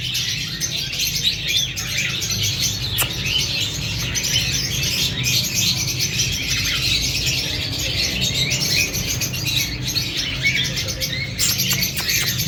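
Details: Many cockatiels in an aviary chatter together in a dense, continuous stream of high chirps and squeaky notes.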